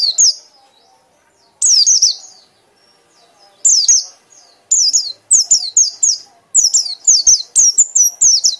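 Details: Loud chattering song of a white-eye, bursts of high, twisting, downward-sliding notes that grow faster and more continuous toward the end.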